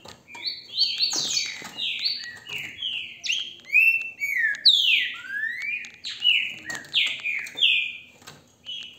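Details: Green-winged saltator in captivity in Brazil, caught on a handheld cellphone, delivering a long run of rich whistled notes that slur downward and upward, closely spaced phrases with faint clicking in the background.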